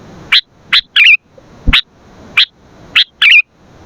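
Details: Sooty-headed bulbul in vigorous 'gacor' song, used for luring and training other bulbuls: sharp, high chips spaced about half a second apart, with two short warbled, twisting phrases between them.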